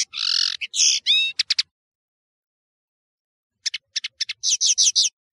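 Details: A European serin delivers a short buzzy phrase and quick tinkling notes, pauses for two seconds, then resumes with a sharp, high, stuttering jingle.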